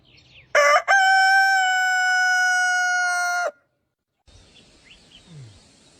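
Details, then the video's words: One loud crow from a rooster, a clipped first note followed by a long, even, held tone of about two and a half seconds, then near silence with faint rustling. "Som de Galo Cantando"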